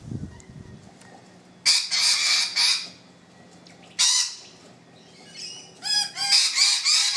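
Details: Rainbow lorikeets on a balcony giving harsh, broadband screeches in three loud bursts, each about half a second to a second long, separated by quieter gaps with faint background chatter.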